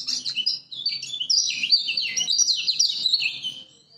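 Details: Lemon-bellied white-eye from Lombok, used as master song to stimulate reluctant birds: an unbroken, fast, high-pitched warbling twitter of sweet chirps and slurred notes.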